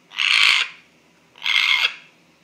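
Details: Pet African grey parrot, male, producing an odd noise its owners could not explain: two drawn-out, hoarse, hissing blasts, the first longer, separated by a brief silence.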